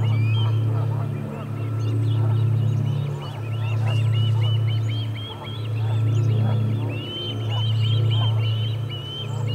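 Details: Whistled, rising chirps from an osprey at the Charlo nest, 8 August 2020, after a parent lands with no fish. The calls come in quick irregular series above a strong low rumble and faint clicks.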